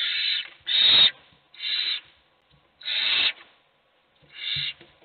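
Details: Hungry owl chicks begging, all wanting food while only one gets fed: five harsh, raspy hissing bursts at uneven intervals over about five seconds, each roughly half a second long.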